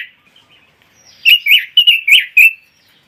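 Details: A red-billed leiothrix, the imported songbird prized in Indonesia for tutoring and contest practice, gives a few faint soft notes and then one clear rolling phrase of about six rich, slurred whistles.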